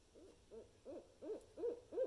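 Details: Barred owl calling, a series of six rising-falling hooted notes around mid pitch, spaced roughly every third of a second and growing louder toward the end, with a quiet background.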